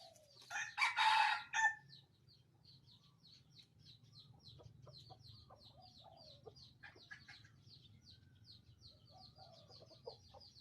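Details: Red junglefowl kept as a decoy bird by a bird trapper gives one loud, harsh crow lasting about a second near the start, followed by steady rapid high chirping from small birds and a faint low hum.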